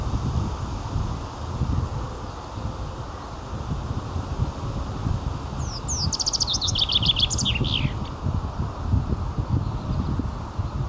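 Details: A common chaffinch in May 2022 gives one bright trill of about two seconds, a fast descending run of notes ending in a flourish, with steady wind and rustling in the background.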